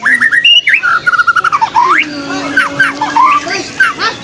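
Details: White-rumped shama singing against a rival: rich, varied phrases of slurred whistles, fast stuttering trills and sharp upward sweeps, with a low steady hum in the background.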